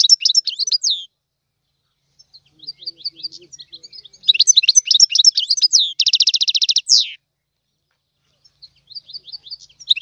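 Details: Tiwawati-style song of a European goldfinch. Quick scattered tinkling chirps build into a dense twitter, then a strong rattling buzzy trill, ending in sparse soft chirps.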